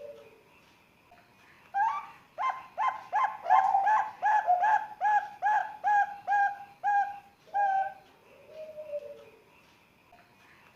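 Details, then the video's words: Three-month-old Bangkok zebra dove chick, used to prompt young birds to call: a rhythmic series of about a dozen short, soft, bubbling coos at roughly two per second, with a few quiet lower notes at either end. "SUARA PERKUTUT PIYIK USIA 3 BULAN, PIYIKAN IKUT BUNYI"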